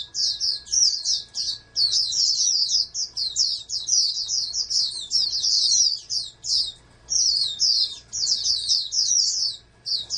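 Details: Over ten seconds a bred oriental white-eye, a hopeful for national contests, keeps up a lively, very high twittering song of quick slurred notes with only a few brief breaks. Faint hum beneath.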